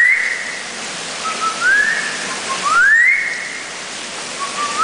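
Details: Male Eurasian golden oriole at Warsaw Zoo, perched on a person's hand and answering human whistling, gives short, fluty, rising whistles spaced about a second apart, over a steady hiss like rain or rushing water.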